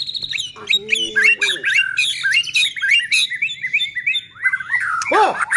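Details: White-rumped shama singing to rouse other shamas: dense, chattering high notes and sharp chirps in rapid succession, closing with a loud downward-swooping whistle.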